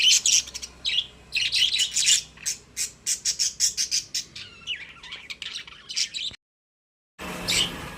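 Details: Happy pet budgerigars warble and chatter in a cage: a long stream of rapid high chirps with some squawky and gliding notes, then a brief silence and a final short burst.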